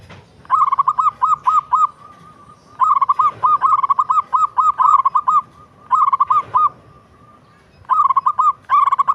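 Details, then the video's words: Local perkutut or zebra dove giving its melodious song in bursts of quick, ringing staccato coos, each burst lasting about a second and separated by short quiet gaps, with faint background hiss. "Suara perkutut lokal merdu syahdu"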